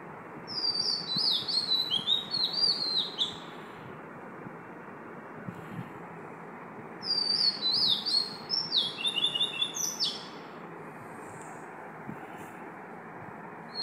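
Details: Oriental magpie-robin singing at 5 am: two bursts of high, sweet whistled and slurred phrases, each lasting about three seconds, over a steady loud background hum.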